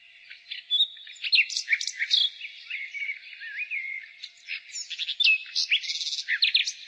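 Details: Nightingale singing in spring: a varied run of rapid chirps, sharp upward and downward whistles and short buzzy trills, with brief pauses between bursts and a faint background of further high twittering.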